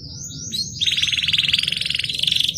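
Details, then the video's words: Canary song played to coax a stressed, silent canary back into steady singing: a few high thin slurred whistles, then a long rapid buzzy trill held at one pitch with a fast pulsing beat. "BIKIN KENARI STRES MACET BUNYI JADI GACOR | CANARY SINGING"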